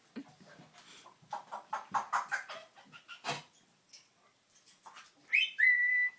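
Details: A pet African Grey parrot, about two and a half years old, chatters in quick, voice-like bursts for a few seconds, then gives a loud whistle that rises sharply and settles into a steady held note.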